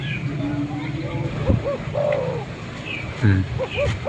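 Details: Spotted dove, a male calling, used to lure wild birds near; low soft coos in short repeated phrases, partly masked by low rumbling noise and a brief bump of sound.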